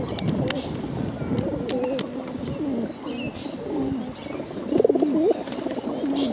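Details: Bottle-fed pigeons, hungry, give soft wavering low cries and rising-falling squeals, repeated over steady murmuring background calls, with faint clicks.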